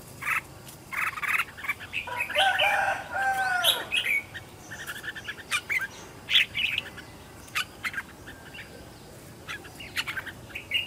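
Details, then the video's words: Decoy red-whiskered bulbul kept and trained at home, its competitive song meant to call in wild birds: a burst of rich, liquid warbling in the opening seconds, followed by scattered sharp chirps over faint background hiss. "Chào mào mồi gọi bổi"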